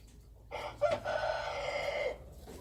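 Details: A wild chicken crows once: a harsh, drawn-out call of about one and a half seconds with a brief louder opening note, over quiet background hiss.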